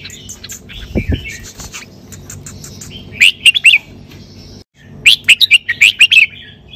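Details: Sai ble style song from a red-whiskered bulbul: two loud clusters of quick, bright chirping notes separated by a brief pause, with a low thump near the start.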